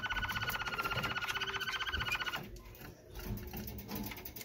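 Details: A Malinois Waterslager canary sings a rapid rolling trill of about a dozen notes per second for two seconds, then fades to softer warbling against room noise.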